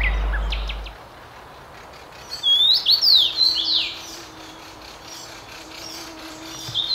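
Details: A common rosefinch in Tsaritsyno, Moscow, Russia, in May 2021 sings one short, clear whistled phrase of slurred rising and falling notes, with only a faint low hum behind.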